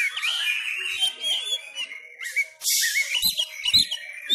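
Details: White-rumped shama from Sumatra training at home in a cage, its fighting song a stream of warbled whistles and trills, with a loud scratchy burst midway and soft knocks near the end.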